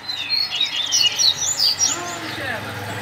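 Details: Coleiro tutor song, used for teaching young birds: rapid high whistled and buzzy notes with quick sliding phrases, over a low murmur of talking in the background.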